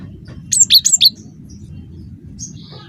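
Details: Cinereous tit lure call to draw replies: a short phrase of four bright, high whistles alternating between two pitches, followed by a faint thinner note and low background hum.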